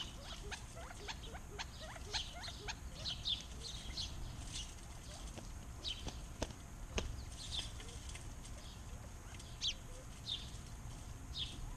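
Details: Backyard birds singing in Arizona: scattered high, thin chirps and short twittering notes, with sharp clicks and a steady low background rumble.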